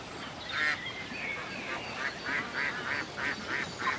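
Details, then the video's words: Lakeside ducks in the countryside: a few scattered calls, then a string of evenly spaced loud nasal quacks from the second second onward, with quieter bird chirps in the background. "Serenity by the Lake : A Peaceful Day in the Country with Ducks Ambience"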